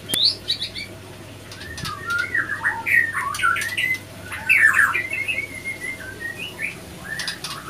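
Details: White-rumped shama male and female in a fight following a failed pairing; rapid harsh squawks and slurred whistles about three per second, loudest near the middle, with clicks and wing noise.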